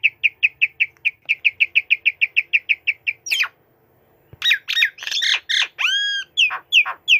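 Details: White-rumped shama, a tame bird perched on a person's hand, singing energetically. A rapid series of identical chipping notes repeats about three times a second, then after a short pause it switches to loud, varied whistles and clear, ringing falling slurs.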